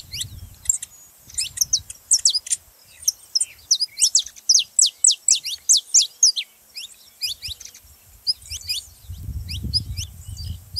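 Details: Saffron finch song for stimulating other canaries to sing: steady series of loud, high, clipped descending chirps through the middle, softer notes at the end, and low rumble at start and finish.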